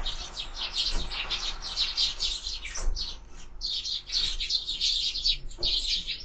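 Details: Sparrow chatter at a bird feeder: a near-continuous stream of bright, high chirps from several birds, briefly dipping before resuming, over a faint low rumble.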